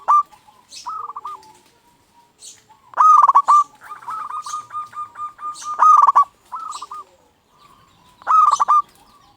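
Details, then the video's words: Local zebra dove singing to excite and lure other zebra doves: loud, clipped bursts of rolling coos mixed with a long, quieter run of rapid coos and short softer phrases. "Perkutut Lokal Gacor RAJA PIKAT Ahlinya Bikin Semua Burung Perkutut Gacor Nyaut."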